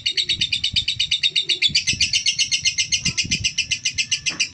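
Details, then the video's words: Female lovebird, a cold-type bird, giving a rapid run of harsh, buzzy chirps, about four per second, steady and unbroken throughout, with faint low knocks and handling sounds beneath. "Lovebird betina"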